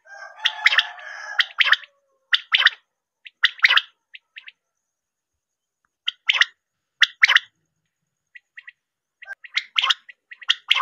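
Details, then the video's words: Quail calling as a hunting lure: a buzzy rattle at the start, then spaced pairs of sharp, clipped notes with long quiet gaps. "batair ki shikar vip awaz.batair sound"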